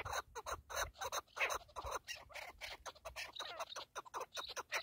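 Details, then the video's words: Partridge delivering a rapid, somewhat irregular run of loud chuckling notes, roughly three per second, steady in strength from start to finish. "KEKLİK / PARTRİDGE"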